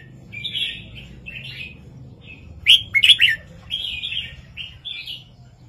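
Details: Red-whiskered bulbul performing a southern 3-4-5 master song for training caged birds; mellow warbled phrases around a loud, rapid chirping flourish in the middle.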